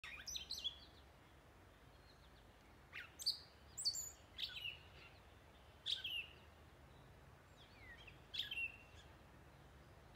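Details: Northern mockingbird singing in woods at dusk at Wescott Preserve, Hunterdon County, New Jersey: short, varied high chirps and slurred notes in separate bursts every second or two, over a steady wash of background hiss.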